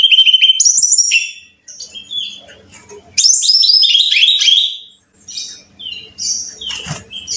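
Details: Lure song of a Brown-chested jungle flycatcher for caged birds: clear high whistled phrases and rapid down-slurred notes in bursts, quieter pauses with faint hum, a sharp click near the end.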